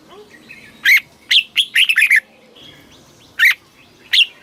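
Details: Red-whiskered bulbul song played to stimulate and teach caged birds, southern master-style phrasing from Thailand: short bright chirpy notes in clusters, a single note, then a quick run of four, with scattered single notes after.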